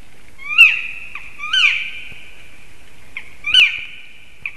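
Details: Black woodpeckers calling loudly at a black stork nest in Sigulda municipality, Latvia, 9:55 am on 30 March 2021, possibly defending territory as a third bird joins. Three loud, ringing, downslurred calls, each trailing into a drawn-out whistled note.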